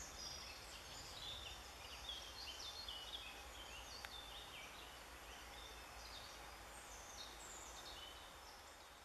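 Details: Eurasian jay in spring, 25 April, giving soft, sweet talk: a quiet, rambling string of high chirps, clicks and squeaky notes over steady background hiss.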